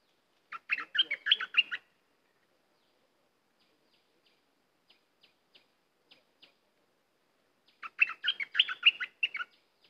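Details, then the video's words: Cream-vented bulbul singing in lively chattering style: two bursts of rapid bubbly notes, each about a second long, spaced several seconds apart, with faint short ticks in the quiet gap between them. "Burung merbah lekir bay hoach thom gacor"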